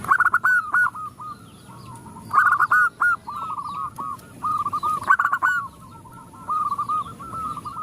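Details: A female zebra dove calls to males and the other doves respond; loud bursts of rapid, bubbling staccato notes alternate with softer trilled coo runs every two to three seconds, over scattered high bird chirps.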